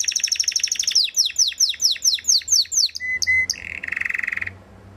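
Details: Belgian Waterslager canary: fast trill, then a series of downward-slurred whistles about twice a second, a few short tones and a low rolling trill ending the phrase.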